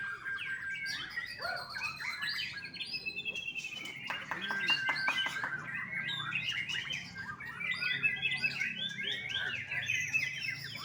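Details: Young captive white-rumped shama from a Bali bird farm singing a dense, varied run of quick chirps, trills and whistled slurs; a burst of sharp clicking notes sounds midway.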